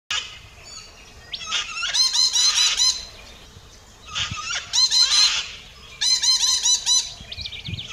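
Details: Yellow-crested white cockatoo gives three bursts of harsh, raucous screeches, each a couple of seconds long, with brief quiet gaps between them.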